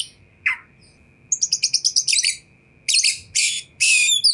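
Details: Oriental magpie-robin (kacer) song used to provoke other magpie-robins to respond: a dropping whistle, then a rapid rattle of high chirps and loud buzzy bursts, with a steady faint hum.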